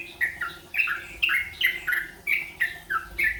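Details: A yellow-vented bulbul learning rolpen delivers crisp, evenly spaced whistled notes, roughly three per second, each a quick downward slur from a sharp onset, with soft background hum.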